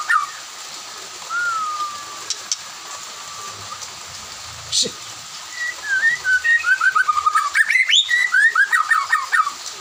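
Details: White-rumped shama in afternoon song with others answering; a faint long whistle first, then after a quiet gap a fast run of slurred whistled notes builds at the end over a steady hiss.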